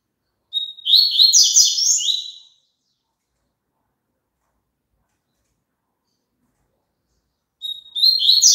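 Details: Double-collared seedeater song, played so caged birds sing along: two phrases separated by about five seconds of silence, each a whistled opening followed by fast buzzy chattering trills.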